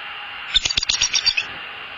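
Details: A male bald eagle at a nest watched by camera in southwest Florida gives a short burst of about eight thin, high, chittering notes in under a second, then flies away.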